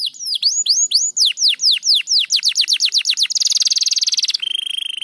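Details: Crested canary in full, dense song: a run of rapid downward-sweeping whistled notes that speed up, then a fast buzzy trill of even pulses, ending in a steady high whistle, with a clean, quiet background.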